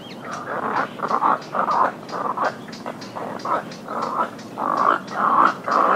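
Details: Little egret alarm calls, harsh gargling croaks in short bursts, about two a second, rough and throaty with no clear tone, from a colony.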